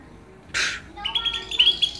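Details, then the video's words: Greater green leafbird song, comparing Banyuwangi and Kalimantan birds, used as a fighting-style lure: a quick run of high, bright whistled notes, some slurred and chattering, after a short breathy rush of noise. "Bongkar isian, Cucak Ijo Banyuwangi vs Cucak ijo Kalimantan"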